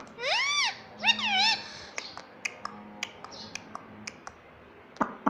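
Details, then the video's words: Talking ringneck parrot, a pet, said to call "mummy" and "papa": a two-syllable arched phrase at the start, then a run of dry clicks and taps. "parrot talking mummy papa"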